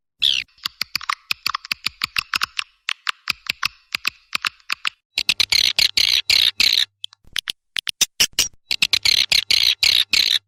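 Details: Edited swiftlet lure sound meant to attract swiftlets: a long run of sharp, rapid clicks with a faint high buzz underneath, then loud bursts of high twittering chirps alternating with clicks and short silences.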